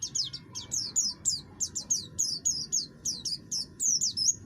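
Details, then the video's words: Oriental white-eye of the buxtoni form in full song, a harsh voice used to provoke other birds into singing: rapid, high, sharply descending chirps, roughly three per second, in an uneven stream over a low background hum. "pleci buxtoni gacor, suara kasar, cocok untuk memancing bunyi"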